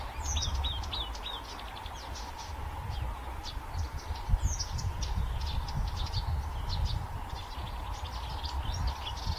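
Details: Song of a Blyth's reed warbler, recorded 26 May 2024 at Haga kile: quick successive high notes and short slurred phrases in a continuous, varied stream, set against heavy low rumble and a constant droning hum.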